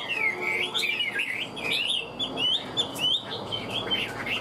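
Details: Caged Hwamei, a prized songbird described as a speciality of the northwestern mountain forests, singing strongly: a continuous run of loud, varied, warbling whistled phrases with rapid slurred rises and falls, bright and rich throughout with no pauses.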